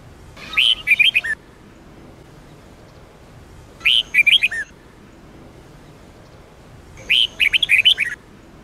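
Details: Sông Kôn style singing by a red-whiskered bulbul, played for training birds: three matching warbled phrases of rapid, chirpy whistles, each about a second long, roughly three seconds apart.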